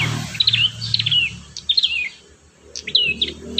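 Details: Prinia song used to train young prinias to sing: short high chirps and sweeping whistled notes in quick bursts, with quiet pauses and a faint low hum underneath.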